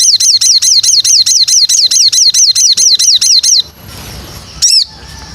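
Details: White-rumped shama training song: a rapid, loud run of about fifteen sharp, high, downward-slurred whistled notes at roughly four per second. A short pause follows, then one more note, with faint background hiss.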